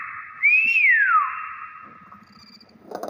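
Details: A single loud, pure whistle from a Nias hill myna that rises quickly and then glides down over roughly a second. Faint knocks follow over a constant background hum.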